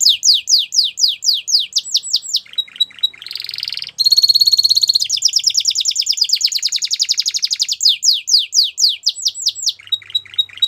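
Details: Canary song mixing rapid descending whistled notes with buzzy rasping passages and a long rolling trill, then more quick chirp series; loud and high-pitched throughout.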